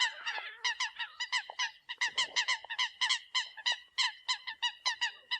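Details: Eurasian coot decoy call delivered as a fast, steady series of short nasal honks, about three per second, continuing throughout without pause.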